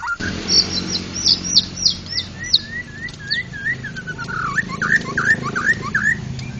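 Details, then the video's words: Champion white-rumped shama singing ngeplong song: a string of high, repeated downslurred whistles, then lower looping whistled phrases, all over a steady low hum. "burung berkicau Murai Batu Ngeplong gacor Juara Nasional"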